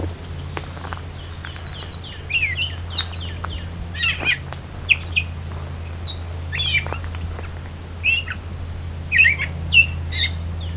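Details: A Gray Catbird sings a rambling run of short, squeaky, scratchy phrases, each one different, in the Beverly Swamp, Flamborough, Ontario, at the 2024 summer solstice, over the low drone of a passing airplane.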